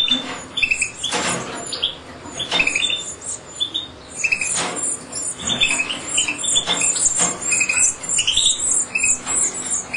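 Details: Captive European goldfinch chicks during feeding: continuous high-pitched squeaky begging chirps, some with short upward slurs, broken by sharp clicks and scraping sounds.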